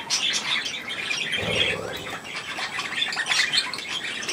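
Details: Young budgerigars at millet, 3 May 2024: continuous buzzy squawks and twittering from several birds, with a brief low murmur partway through.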